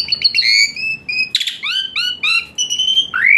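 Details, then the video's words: Asian pied starling song played as therapy for a starling that rarely sings; drawn-out whistles, a brief harsh rasp, then rising and falling whistled notes ending in an upward slur. "Full Isian Mewah TEMBAKAN PANAS Khas Jalak Suren UNTUK TERAPI Jalak Suren Malas Bunyi Jadi Rajin"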